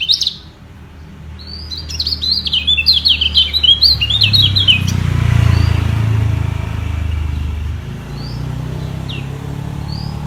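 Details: White-eye song duel, kecial kuning fighting with their voices to secure a place at the top: a burst of quick high chirping twitters in the first seconds, then mostly a low rumbling background with a few scattered thin high notes.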